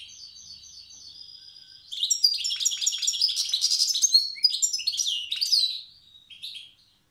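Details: Wild European goldfinch from Tiaret singing its old-style song: soft repeated thin notes building into a long, rich stream of tinkling, buzzy twitters, then a few trailing chirps.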